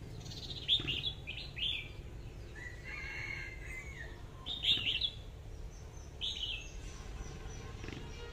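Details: Caged decoy red-whiskered bulbul gives lively whistled warbles in spaced bursts, with a lower, softer drawn-out sound in the middle and steady background hum.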